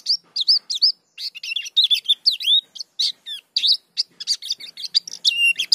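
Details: Dakun-type white-eye singing a continuous rolling song full of varied material. Dense, rapid high chirps and sweeping whistles crowd together, barely pausing; nothing else heard.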